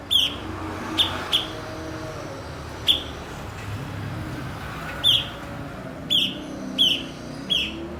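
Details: A blue-winged leafbird, known locally as cucak cungkok and kept as a master bird for songbird training, sends out scattered sharp chips, some in quick pairs, over steady traffic-like rumble and noise.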